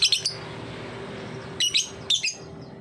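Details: Lovebird ngetik song used as a lure for young lovebirds: a quick triple chirp burst, a pause of over a second, then two more scratchy high bursts.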